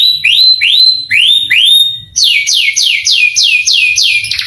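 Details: Canary song played to provoke and excite young canaries: four rising whistled notes, then a fast run of repeated downslurred high chirps, loud and clear.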